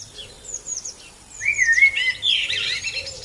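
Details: Asian blackbird song: faint high chirps at first, then a rich, flutey, slightly falling whistled phrase midway that ends in a burst of squeaky, high-pitched twittering.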